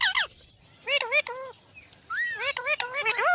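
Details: Parrot mimicking speech in quick wavering syllables, a long arching whistle-like sound in the middle, then a rapid run of bent, harmonic-rich notes.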